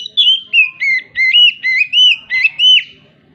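An oriental magpie-robin sings about eight loud, clear whistled notes in three seconds, rising and falling, imitating a hen's clucking after laying.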